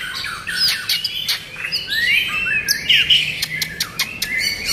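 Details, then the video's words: White-rumped shama singing a varied run of clear whistled phrases, some sliding up or down, mixed with sharp dry clicks and short chattering notes; brief pauses between bursts. "นกบินหลาดง Shama"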